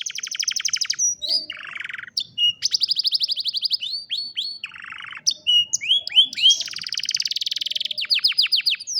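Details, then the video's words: Canary song meant to train a lazy canary to sing, recorded on a cellphone: rapid repeated trills alternating with harsh buzzy bursts and downward-swept whistles, phrases changing every second or two. "Canción Canaria para Cantar Canario Perezoso Entrenamiento | Canary Singing"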